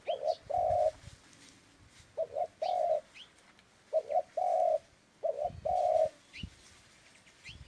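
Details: Dove calling in a standard cooing pattern: three repeated phrases, each a short double coo followed by a longer, steady low coo, spaced about 1.5 seconds apart, with faint high bird chirps in the background.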